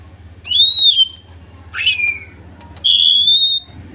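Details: Greater green leafbird song used as therapy for a bird that has stopped singing, wild-sourced material: long clear whistled notes, a descending slurred whistle between them, over a low steady hum.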